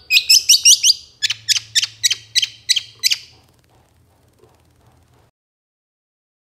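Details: Long-tailed shrike, a moulting bird, singing as a lure to make captive shrikes sing: a fast run of harsh, high, buzzy notes, then a second series of evenly spaced rasping notes about three per second, followed by near silence.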